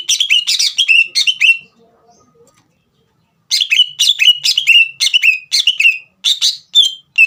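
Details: Busy green leafbird song, meant to stir a young bird into singing. Dense, buzzy chattering notes sliding downward come in two long rapid bursts split by a quiet gap of about two seconds.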